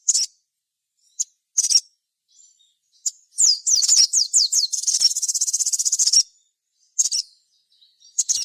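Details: Sogon lure song meant to make other sogon sing: scattered sharp chirps, then a rising series of swooping whistles that runs into a long high buzzing trill before a few final chirps.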